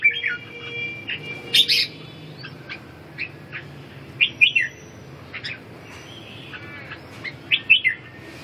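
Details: Red-whiskered bulbul singing: short, bright whistled phrases and sharp chirpy notes given in scattered bursts with pauses between them, over a faint low background hum.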